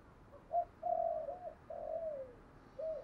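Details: Spotted dove coo used as a lure for wild doves: faint, drawn-out low cooing notes with a slight fall, over a soft background hiss.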